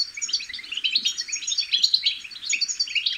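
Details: Young European goldfinches give bitbita, a twittering chick song meant to stimulate other goldfinches to sing. Rapid, tinkling high notes and short trills tumble over each other without a break.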